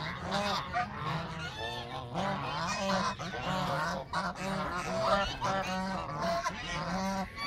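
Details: Canada geese in chorus, giving rapid nasal honks that overlap almost without pause. The calls rise and fall in a busy, continuous stream.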